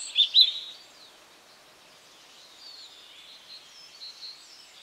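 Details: A European robin singing in a garden in spring opens with two sharp, high notes, then a faint, thin, wavering warble of high trills over a quiet outdoor hush.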